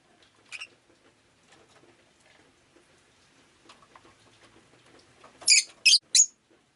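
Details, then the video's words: Rosy-faced lovebird on a rainy day, one thin chirp early, then a rapid run of three loud harsh chirps near the end over soft patter of rain and background noise. "Lovebird Chirping Sounds"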